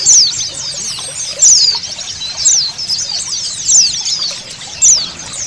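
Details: A crowd of Oriental white-eyes in the ombyokan style, used as a lure for picking out males, gives dense high-pitched twittering and sharp chirps overlapping constantly, over a steady background of flowing water.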